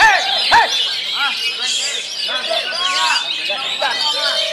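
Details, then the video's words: Black-breasted Oriental magpie-robin at a songbird contest in Sragen, Indonesia, on 2 May 2021, where it finished runner-up, sings a rich, varied run of whistled and slurred phrases, about two per second, over a busy hum of voices and other songbirds. "Kacer Kutang Hitam Materi Irama Lagu"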